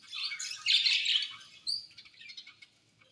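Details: Budgerigar colony chirping, with a loud burst of scratchy warbled chatter early on, a sharp squeaky note, then softer scattered tweets trailing off.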